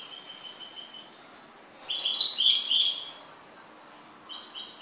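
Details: Goldfinch song: a soft run of repeated tinkling notes, then a loud, dense burst of jumbled twittering and buzzy chirps lasting over a second, fading back to quiet repeated notes.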